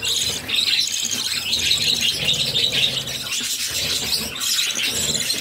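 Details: Budgerigar nestlings, six of them, during feeding by their mother: a grating, rasping chatter like filing, high and constant, with overlapping scratchy squeaks.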